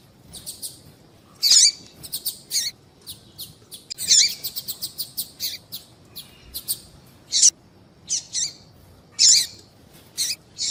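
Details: Female double-collared seedeater call to prompt a male to sing: a busy series of high, sharp chirps in quick runs, broken by loud rasping bursts roughly every two to three seconds, with no other sounds.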